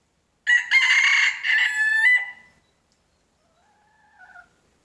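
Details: A rooster crows in the morning, a higher, hoarse call in several broken segments over about 1.7 seconds, followed after a pause by a faint distant second crow.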